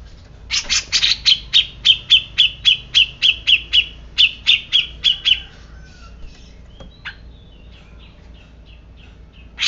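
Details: Grey-cheeked bulbul uttering a long run of about twenty sharp, ringing chirps at a brisk, regular pace over five seconds, then quieter scattered notes and a low hum.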